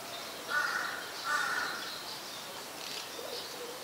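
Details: Malaysian pied fantail (Rhipidura javanica) at Ubon Ratchathani, Thailand, 18 March 2021, giving two harsh, scratchy notes about a second apart, then fainter chatter, over steady background hiss.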